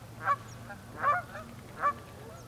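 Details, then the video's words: High, yelping honks from a cackling goose, three clear calls roughly three quarters of a second apart, each brief and nasal, over a low steady hum. "cackling goose"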